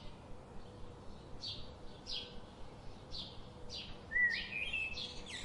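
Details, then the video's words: Evenly spaced high chirps about twice a second, ending with a clear whistled note that rises into a brief warble, over a faint low hum. "Birds sound"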